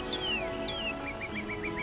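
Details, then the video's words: Northern cardinal behind the listeners, heard during birding in a rain-pelted canopy: two clear, downslurred whistles, then a quick run of short, sharp notes about eight per second, over steady music and a low hum. "There's a northern cardinal making a chip note behind us over here."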